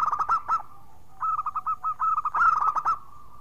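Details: Local Indonesian zebra dove, a clear, loud, small-voiced singer used as a lure to get other doves singing: rapid bursts of short, rolling cooed notes on one pitch, a string of separate knocking notes, then another fast rolling burst.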